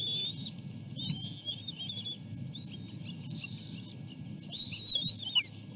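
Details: At the nest, three bald eagle chicks push past each other to reach their mother and the food she brought. Repeated thin, high whistled wails, each about a second long, come in quick succession over a low rumble.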